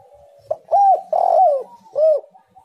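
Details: Spotted dove (tekukur) song played as a lure to make other doves sing: a low, mellow cooing phrase of a short note, two drawn-out arched coos and a final rounded coo, in a quiet setting.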